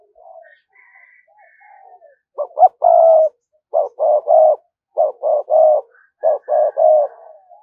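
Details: Caged lure spotted dove cooing in the 'thúc gù' style. Faint high whistles precede three phrases of low hooting coos. Each phrase has short clipped notes followed by a longer held coo, repeated roughly every one and a half seconds.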